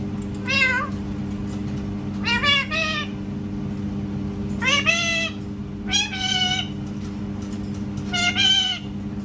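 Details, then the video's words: Parrot imitating a cat: five loud meow-like cries, each with stacked harmonics and a falling or arching tone, spaced every one to two seconds over a steady room hum. "PARROT MAKING CAT SOUNDS"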